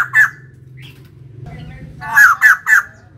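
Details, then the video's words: One harsh note, a pause, then three rapid loud raspy calls from a female white-crested laughingthrush, over a low background hum. "Poksay jambul putih betina gacor"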